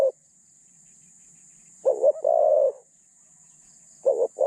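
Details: Captive spotted dove kept as a decoy for luring wild doves, its voice style called medium pitch with thin phrasing; a low hollow coo phrase of a quick doubled note then a long drawn note, over a steady high hiss.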